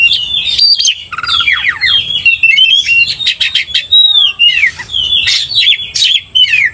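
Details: Vigorous lure song of an Oriental magpie-robin meant to rile another bird: tumbling descending whistles, quick chattering trills and a clear rising-falling whistle in the middle, packed closely without pause.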